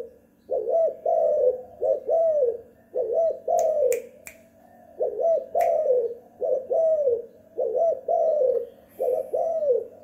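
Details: Spotted dove kept at home, calling vigorously in a repeated lure-style pattern: low, hollow coo phrases in bouts of two or three arched notes, several bouts in ten seconds, with a few sharp clicks between phrases.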